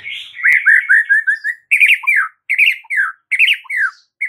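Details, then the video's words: White-rumped shama heard in masteran material: a run of fast slurred notes, then a sharp rising-falling phrase repeated three times about every 0.8 seconds, with a short low note after each. "7 DETIK AUTO RESPON MURAI BATU ANDA DENGAR MASTERAN MURAI BATU SATU INI"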